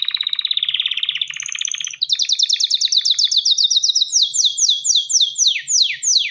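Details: Male canary in breeding condition singing to a female: a low rapid rattle, then a fast high trill that slows into widely spaced falling whistles.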